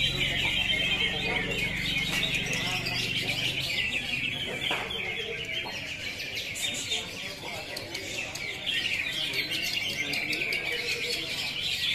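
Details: Cucak hijau, the greater green leafbird, delivers rapid scratchy chatter and sharp chirps in its 'tembakan kapas tembak' style. A low droning hum fills the first seconds.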